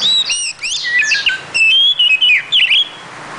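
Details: Rich, fast oriental magpie-robin song: sharp whistled slurs, trills and sweeping notes follow one another almost without pause.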